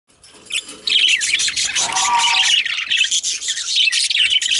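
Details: Male budgerigars chattering in a dense, continuous warble of scratchy, high chirps and squeaks. A brief lower, nasal tone sits under the chatter near the middle.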